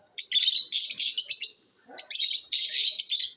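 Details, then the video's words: Lovebird chirping from a competition, harsh and buzzy high-pitched chatter in bursts of about a second, a brief pause, then more rapid scratchy twittering. "Love BIRDS ChAPRING SOUNDS COMPETITION"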